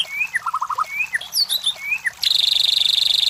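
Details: White-rumped shama song meant to provoke competition birds: rising and falling whistled notes with a quick run of four low notes, ending in a fast high buzzy rattle.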